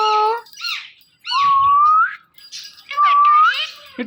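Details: Male and female Indian ringneck parrot pair kept as pets, morning calling: harsh harmonic squawks alternating with two long, steady, mewing whistles that slide upward at their ends.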